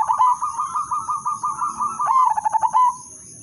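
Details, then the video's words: Udanmas silver zebra dove, a lure bird for triggering other doves' song, pours out a long, even, rapidly pulsed purring trill that breaks into a stuttered coo and fades, under a steady high whine. "perkutut/merbok udanmas silver irama merdu spesialis pancingan bikin semua perkutut ikut manggung"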